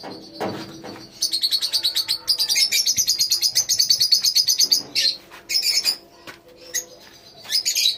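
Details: Lovebirds in a colony: a lone low note, then a long rapid series of evenly pulsed, shrill chirps, followed by scattered twitters and squeaks.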